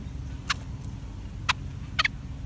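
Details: Bulbul parents defending their chicks from an ant attack: three short, sharp, clipped calls, one at a time and then a close pair, standing out over a steady low hum.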